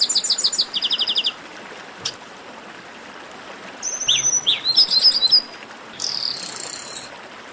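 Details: Chestnut-capped blackbird 'baderna' chorus for warming up singing birds: an opening run of rapid stacked chirps, a lull, then slurred whistles and a bright buzzy trill near the end.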